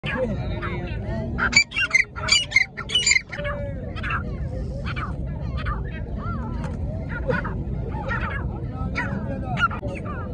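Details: Dakhni fighter partridge calling: a loud burst of harsh, harmonic notes repeated rapidly for about two seconds, followed by fainter scattered calls over steady background noise.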